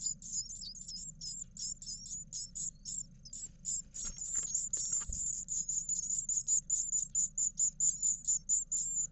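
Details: Great tit nestlings, nine of them at eleven days old, begging in a nest box camera in Israel while both parents bring food: continuous very high, thin squeaky notes repeated a couple per second, with a few soft rustles and knocks.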